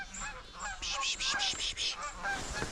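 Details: In winter at Deerfield Park, central Michigan, a flock of Canada geese flying over gives loud, nasal, overlapping honks, several in quick succession, while a man speaks briefly in the background.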